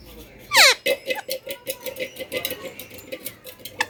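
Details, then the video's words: Parrot lets out one loud, harsh falling squawk early on, followed by a steady series of soft clicking or ticking notes repeated several times a second, recorded indoors. "Talking Parrot /Parrot Sound"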